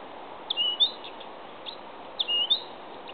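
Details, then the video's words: At Hedhult, Kristinehamn, Värmland, Sweden, on 25 June 2013, a Blyth's reed warbler sings two short bursts of high, clear whistled notes with a quick sliding phrase, repeated about every 1.5 seconds over steady hiss. "Busksångare (Acrocephalus dumetorum)"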